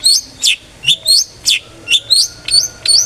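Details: Long-tailed shrike singing in the 'ngeplong' style, played as a lure so other shrikes sing often: bright, high chirps, some rising and some falling, delivered in a quick uneven series of about eight notes.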